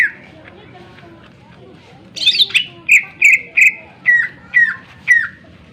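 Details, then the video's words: Greater green leafbird singing loudly and sharply, used as a lure to make other birds sing and get agitated; after a faint start, a harsh burst leads into seven clear whistled notes, several dropping in pitch, about two per second. "cucak ijo gacor full suara tajam cocok untuk pancingan agar burung gacor dan emosi"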